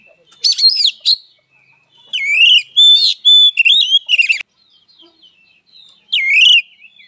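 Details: Oriental magpie-robin (kacer) giving a fighting song, known as a fighter bird: loud, clear whistled phrases swooping up and down, mixed with short buzzy, harsh notes, delivered in bursts separated by brief silences.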